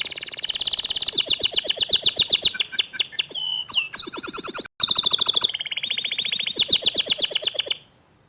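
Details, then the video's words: Young canaries respond to a loud, constantly singing canary: a long, rich song of rapid buzzy trills, rattling pulsed bursts and upslurred whistles, with one very brief break, ending in a sustained trill. "Kenari Paud Kenari Bahan Langsung Respon Setelah Dengar Kicauan Kenari Gacor Dor Ini"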